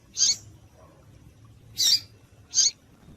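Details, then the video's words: Female double-collared seedeater calling to stir up males: three loud, rasping high chips, the first alone, then two closer together about 0.7 seconds apart, against faint low background hum. "Piado de Fêmea de Coleiro para Esquentar Coleiro"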